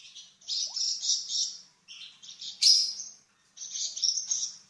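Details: Flamboyan singing a varied tutor song for cucak ijo and magpie robin: high, scratchy, warbling phrases with one sharp piercing note in the middle, delivered in three bouts with short pauses between.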